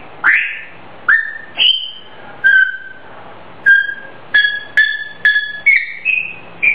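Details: Pet grey parrot whistling a self-composed melody; a run of about a dozen clear, tonal whistled notes at varying pitches, some slurred upward, some with ringing overtones, in a quiet indoor setting.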